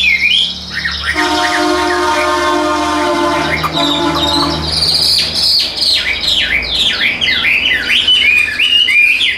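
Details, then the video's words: Tame caged Chinese hwamei singing while carried by hand; a steady low humming tone sounds at first, then a fast series of bright, sharply falling whistled notes repeated in quick succession. "Chim Thuần 90%, Nhẹ Nhàng Sách Tay Hót"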